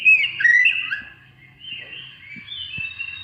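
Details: Oriental magpie-robin song used to provoke other birds to sing: loud whistled phrases near the start, sliding and warbling, then softer drawn-out whistles with faint low background hum.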